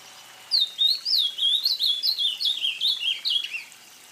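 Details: A full phrase from an ultramarine grosbeak, called azulão in Brazil: a rapid, melodious string of a dozen or so sliding whistles, beginning higher and tumbling downward by steps, ending in quiet; no competing sounds.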